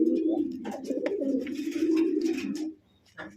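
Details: Aggressive Spanish charera domestic pigeon from a breeding pair: a sustained low, rumbling coo lasting nearly three seconds with slight wavering, then quiet and a short rustle, a man's voice briefly audible.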